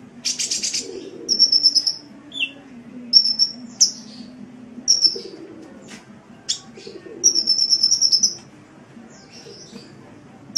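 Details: Kept sunbird singing high, thin chirps and buzzy trilled phrases in short bursts, with brief twittering notes between them and a low hum underneath.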